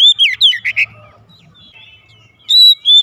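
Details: Loud song from a home-kept oriental magpie-robin responding straight away: a quick run of rising and falling whistled notes, a pause of over a second, then a strong level whistle and a closing phrase.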